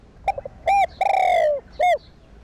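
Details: Spotted dove cooing to excite caged decoy doves. Soft stutter notes lead into a clipped hoot, then a long descending coo, and a single rounded note closes the phrase.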